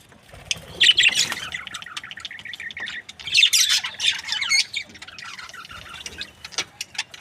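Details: Happy budgie breeding pair making rapid, clipped, whistled chirps in short runs, plus a few sharper squawks, then thinning to scattered single notes.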